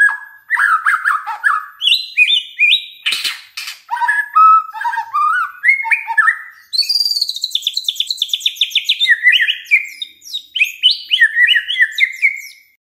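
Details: Rich, varied white-rumped shama song used as a lure for other shamas: fluty whistled phrases jumping up and down, a fast buzzy trill in the middle, and a loud click.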